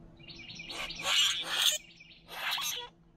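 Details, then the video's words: Three boat-tailed grackles chattering together as they eat at a backyard feeder. Loud, rasping, squealing notes run almost continuously for a second, then break off. After a short pause comes one more harsh, grating burst. "Boat tailed Grackle conversation"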